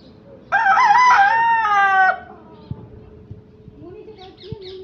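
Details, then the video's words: Rooster (chicken) gives one loud, harmonic-rich crow lasting about a second and a half, holding steady before dropping away, followed by faint clucks and background chatter. "rooster sound"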